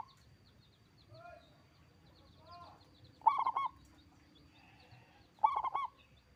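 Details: A loud-voiced local zebra dove from Indonesia sings two bubbling, stuttering coo phrases about two seconds apart, while softer rising whistles from another bird sound earlier in the background.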